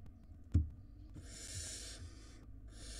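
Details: Barn owl nestlings during a food shortage at the nest. A sharp knock, then a drawn-out harsh hiss lasting nearly a second, followed by another hiss starting.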